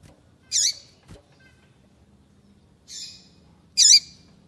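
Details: A female Double-collared Seedeater, which does not sing like the male, gives three short, harsh, buzzy calls with a dropping tail, spaced a second or two apart, over a quiet background; such calls may signal predators, territory or food.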